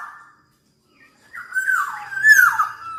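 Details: Black-naped oriole, said to sing very often: a brief whistle, a pause, then a loud wavering fluty phrase that rises and falls with a rough edge.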